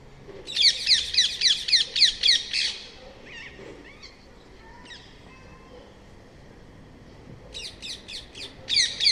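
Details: Shrill, grating rose-ringed parakeet calls repeated quickly in a loud string, fading into scattered quieter notes, then a fresh burst of screeches near the end.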